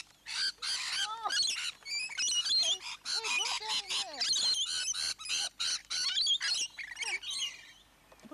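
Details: Hundreds of rainbow lorikeets in a large flock at Lane Cove National Park, Australia, keep up a dense chorus of harsh, rasping screeches and shrill chattering bursts, overlapping almost without pause, with people's voices talking close by.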